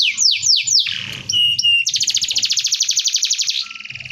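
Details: Canary giving a dense rolling song suited for tutoring: a few loud descending sweeps and short whistles, then a long fast even roll of buzzy notes, ending in a softer trill.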